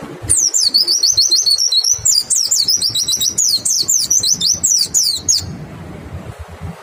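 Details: Lure song of a white-eye, meant to draw other white-eyes into singing: a fast, clear, unbroken stream of high wavering twitters lasting about five seconds, then a sudden stop with faint background hiss.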